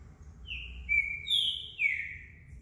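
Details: A champion competition green-winged saltator in feather moult sings a short phrase of loud, clear whistles, sliding and slurred notes at high pitch over about two seconds, with faint background hum.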